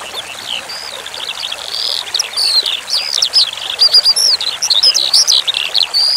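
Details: Skylark singing in a tutoring recording with running water: soft at first, then a dense, high, fast stream of jerky chirps, buzzy notes and short whistles, all over a constant watery trickle.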